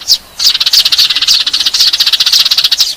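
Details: Eurasian tree sparrow fighting call for luring birds: one sharp chirp, a short gap, then a steady stream of quick, evenly pulsed scratchy notes.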